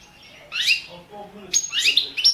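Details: Balkan goldfinch, subspecies balcanica, in a 2017 world championship song-competition recording from a Serbian breeding association; two quick, high, twittering phrases of sharp downward sweeps, ending in a short clipped note.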